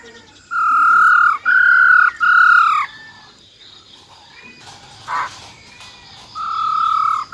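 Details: Female silver-eared laughingthrush with a wild-voice song for stimulating males. Three long, loud, steady whistles come in quick succession, then a short burst and one more drawn-out whistle after a pause.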